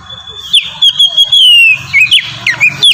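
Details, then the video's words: Oriental magpie-robin (kacer) singing freely and loudly, used as a lure to get captive birds singing: a long sliding whistle mixed with sharp whistled notes and quick upslurs, over a low steady hum. "suara burung kacer ngeplong gacor sangat ampuh buat pancingan kacer bahan bikin cepat gacor"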